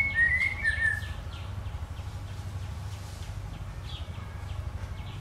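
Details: White-rumped shama singing a brief warbled phrase of bright whistles at the start, followed by faint, rapidly repeated high chips over a continuous low rumble.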